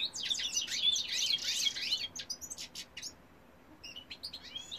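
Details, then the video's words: In this 2018 recording a male European goldfinch delivers a rush of tangled twittering notes, then sharp separate chirps, a short quiet gap, and a few closing high notes. "goldfinch cock singing"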